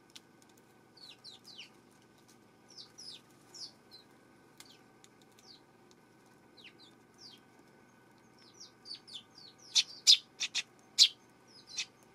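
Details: Eurasian tree sparrow on September 12, giving a loose series of short, high, downward-slurred chirps. Near the end they are joined by several sharp, loud clicks or taps.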